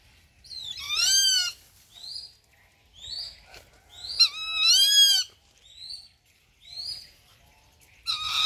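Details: Rufous-winged buzzard calling: two long, harsh, harmonic screams, each with a rising then falling wavering contour. Shorter slurred whistled notes are scattered between them, and a third scream begins at the end.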